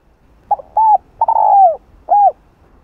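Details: Spotted dove cooing in the field-style voice used to lure wild doves: a short stuttered note, an arched coo, a long falling drawn-out coo, then a final arched coo, all low and hollow, over a quiet background.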